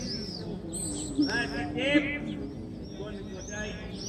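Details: Swifts at the Western Wall during morning prayers give shrill, high screams in short sweeping bursts over a steady murmur of men chanting prayers.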